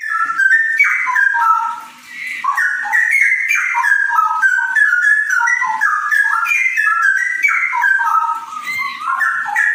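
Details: Continuous warbling song of a straw-headed bulbul (cucak rowo): flowing, melodious whistles rolling up and down in quick succession with barely any pause for nearly ten seconds, clean with no background noise.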